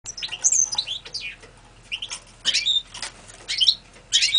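A Red-fronted Serin gives quick bursts of high, tinkling twitter, each about half a second long, broken by short pauses.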